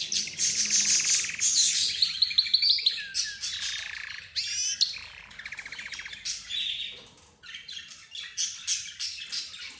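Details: A mix of budgerigar, rosy-faced lovebird, zebra finch and canary, with the canary leading: continuous bright trills, rapid twitters and buzzy chirps overlapping in a busy chorus.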